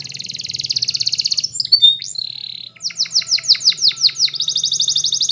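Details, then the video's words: Yellow Spanish Timbrado canary singing a training song: a fast, buzzy, high trill, a brief twisting whistle, then a row of quick, repeated downward sweeps rolling back into a long rapid trill. "Canary's Most Powerful Song For Training !! Yellow Canary singing"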